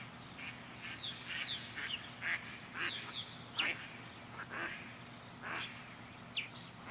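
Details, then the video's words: Purple martins circling a backyard birdhouse give lower, rougher chirps and some clear whistled notes in irregular bursts over a steady low hum. "Blue Sky Back Yard Purple Martins"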